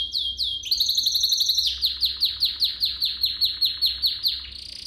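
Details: Training song of a canary for young birds: a few quick swoops and a short rattle lead into an evenly paced series of loud, falling, chopped notes, about three per second.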